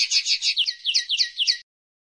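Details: Common linnet, also called pardillo or pajarel, singing a rapid run of twittering notes between 2 and 8k, each slightly descending, about ten notes in under two seconds, then silence.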